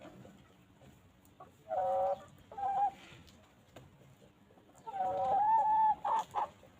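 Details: Free-range chickens pecking and grazing on a peaceful farm; drawn-out harmonic hen calls around two seconds and a longer rising-falling call near five seconds, with soft clucks between and quiet rustling, no music.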